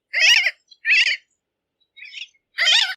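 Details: Bridled tern uttering rasping, wavering calls, three strong notes with a fainter one between, each lasting about a third of a second, with short silent gaps.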